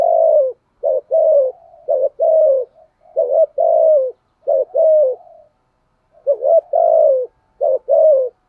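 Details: Lure spotted dove cooing steadily to draw out and provoke rival males, a long run of low, mellow coo phrases, short clipped notes alternating with drawn-out falling ones, with brief pauses and no other sounds.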